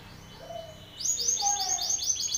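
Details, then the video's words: Belgian canary male challenging a rival male: a faint low whistle first, then a loud burst of rapid repeated high descending notes over soft background hum. "Canário belga BRAVO CANTANDO FORTE na cara de outro macho !"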